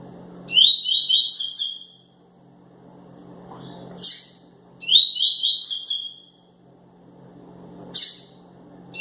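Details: A fired-up ('quente') double-collared seedeater gives its tui-tui song twice. Each phrase is a quick run of bright, slightly buzzy whistled notes, and they are separated by brief sharp chirps and a constant low background hum.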